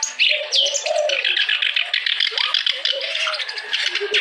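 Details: Clamorous reed warbler, locally kerak basi, singing nonstop to stimulate reluctant birds to sing; a loud, unbroken run of harsh churring and chattering notes with lower warbled phrases underneath.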